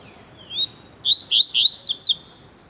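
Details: Coleiro, or Double-collared seedeater, in tui tui song style, singing a lot: a soft rising whistle, a pause, then bright looping notes ending in steep falling strokes.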